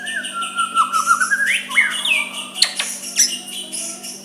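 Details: Soft song of a white-rumped shama meant to draw a rival's answer. A long wavering whistle slides along and rises, then gives way to a few sharp, abrupt notes over a low hum.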